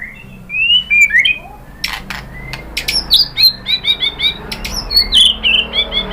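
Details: White-rumped shama (murai batu) in a pancingan lure recording meant to provoke other shamas into agitated answering song: clear whistled phrases, some rising and some falling, then a run of quick repeated chirping notes about four per second, with sharp clicks between.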